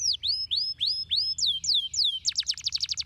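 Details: Canary singing stimulating song for a lazy canary: slow arching whistled notes about three per second, quickening into a fast bright rattle of short downslurs.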